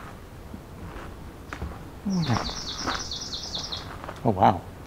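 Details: Swamp Sparrow (Melospiza georgiana), a loud song: a slow, even trill of about nine sharp, high notes at roughly five per second, with a man talking over it. Recorded in Beverly Swamp, Flamborough, Ontario, Canada, on the summer solstice 2024 among breeding birds.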